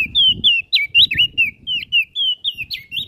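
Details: Singing olive-backed tailorbird used as a training master: loud, clear whistled notes, each bending sharply up or down, repeated in quick succession with faint low thumps behind.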